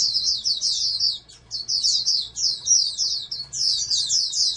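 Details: Oriental white-eye from a breeding program, a hoped-for national champion, gives a bright, high-pitched, racing twitter, dropping out briefly around one and a quarter seconds before resuming in dense, slurred runs.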